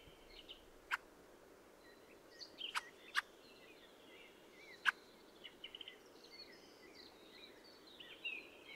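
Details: Fieldfare's rambling, squeaky chatter broken by scattered harsh chack notes, some singly and some in pairs, over steady hiss.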